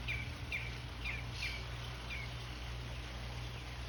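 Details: A Northern Mockingbird singing outside in the morning repeats short, bright, slurred notes about every half second, fading toward the end, over a steady low rumble of background noise.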